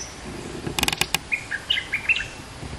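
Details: Clattering mechanical clicks open, then a caged bulbul of two months gives a string of short whistled notes jumping up and down in pitch, recorded as a lure.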